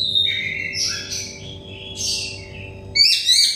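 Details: Oriental magpie-robin, song played to stressed or untrained birds to spur singing: varied whistled notes and buzzy chatters with short gaps, ending in a loud bright warbled phrase, over a low constant hum.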